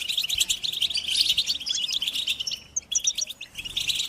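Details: European goldfinch flock twittering, mating and readiness calls meant to get silent captive males singing. Busy high chirps and liquid trills, thinning after the midpoint into separate, spaced tinkling notes.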